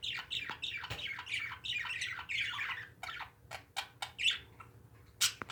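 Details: Pet parakeets calling indoors in a small room: a dense run of squawky, downward-sweeping chirps in rapid succession, broken later by sharper clicks and short bursts.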